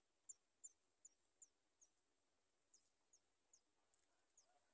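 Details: Sooty chat chicks at the nest begging for food: a faint series of very high, thin, short squeaks, about eleven in under five seconds, over a quiet background hiss.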